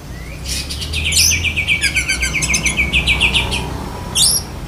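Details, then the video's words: Black-breasted Oriental magpie-robin (kacer dada hitam) singing in besetan kapas style, linking into lovebird mimicry: a fast run of about fifteen sharp, chirpy notes repeated several times a second, framed by high squeaky slurs. "Kacer DAHIT besetan kapas tembak sambung lovebird"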